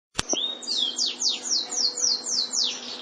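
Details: White canary singing a tour of about eight high, rapidly down-slurred whistled notes repeated evenly, after a sharp click at the start.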